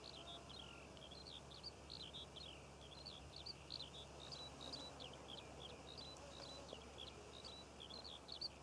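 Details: Eurasian skylark singing over poppy fields in Cornwall in June 2014: a continuous, rapid stream of high chirping and trilled notes with no breaks, over a low steady rumble in the background.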